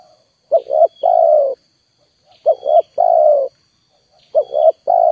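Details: Spotted dove lure call, three evenly spaced phrases about two seconds apart, each a quick two-note coo followed by a longer sustained coo, over a faint steady high hum.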